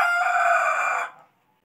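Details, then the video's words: A white rooster gives a harsh, strained crow, held on one loud sustained note for about a second, then cut off abruptly into quiet. "My Roosters are Crowing"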